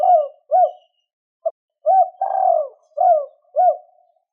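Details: Spotted dove in two-ending style, calling to excite wild doves: a steady run of short rounded hoots broken by one long falling coo, soft and low, with no other sounds.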